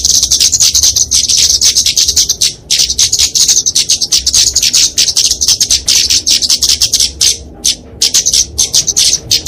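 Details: A flowerpecker (Dicaeum) in fighting song gives a rapid, high, thin chittering of sharp ticks, run together almost without pause and broken by brief gaps every few seconds.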